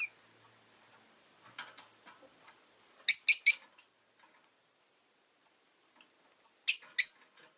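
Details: Rosy-faced lovebird at home chirping in bursts: a rapid run of three shrill, scratchy notes, a pause, then two more sharp chirps, with faint rustling earlier.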